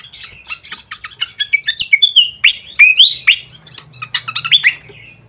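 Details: Flycatcher lure call for training birds: continuous quick high chirps and clipped whistles, several sweeping downslurred notes in the middle, a steady stream of varied twittering notes with a low hum beneath.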